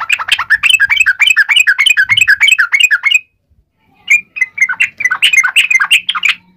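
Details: Fighting song of a yellow-vented bulbul in wild style, aimed at getting other bulbuls to respond: a long stream of quick, bubbling, warbled notes, a silent break of about a second, then renewed chattering with a faint low hum behind.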